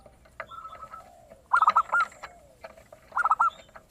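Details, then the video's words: Zebra dove, or perkutut, in full song with a clear 'crystal' voice, used as a lure for other birds; quick clusters of bright staccato notes repeat about every one and a half seconds over a steady noisy background. "PERKUTUT GACOR suara kristal"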